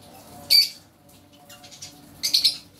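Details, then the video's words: Green lovebird, mating sounds: two sharp, high chirp bursts about two seconds apart, quiet between them. "lovebird singing | Lovebird sounds | Lovebird mating sounds"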